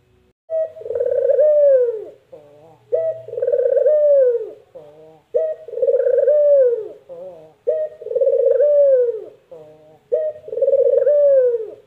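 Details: Burung puter (Barbary dove) giving its distinctive 'mpuk jerruuu' call: five deep, rolling coos, each opening with a brief higher note and then sliding downward, repeated about every two and a half seconds, with a faint low hum behind.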